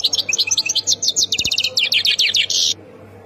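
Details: European goldfinch from Khemis Miliana, Ain Defla province in Algeria, delivering a quick string of about twenty crisp, high chirping notes ending in a short buzzy trill, then near silence.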